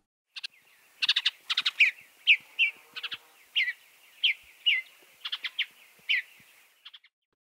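A cardinal gives bright, sharp slurred notes and quick chip clusters, about two a second, high-pitched and clear over a quiet background.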